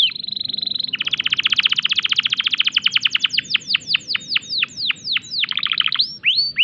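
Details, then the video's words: Canary in breeding condition: a held whistled tone, then a long rapid trill that slows into spaced, sharply falling notes and a few rising upslurs. "tembakan unik kenari gacor birahi"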